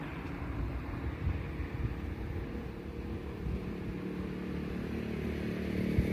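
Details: Low rumbling background noise with a faint steady hum is heard, and no animal calls.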